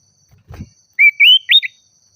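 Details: Oriental magpie-robin singing vigorously to challenge a rival: after a soft thump, three loud whistled phrases, the first two long and gently rising, the last a short high upward slur.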